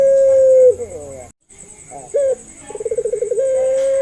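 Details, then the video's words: Local puter pelung dove calling as a lure to coax reluctant or learning doves: the tail of a long coo dips downward, a brief gap follows, then a sharp rising note and a rapid throbbing roll run straight into a steady drawn-out coo. A faint continuous whine is present. "PANCINGAN MASTERAN BURUNG PUTER"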